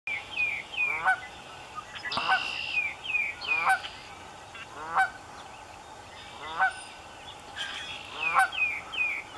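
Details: Canada goose calling at Raymond Brook Marsh in Amston, Connecticut, on the Air Line Trail, in cold air: short nasal honks repeated roughly every one to two seconds, some rising, with other honks overlapping faintly in the background.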